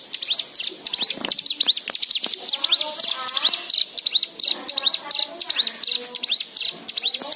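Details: White-eye lure song for encouraging other birds to sing: dense, high chirps and rising whistled notes. Lower, softer warbling phrases weave beneath throughout.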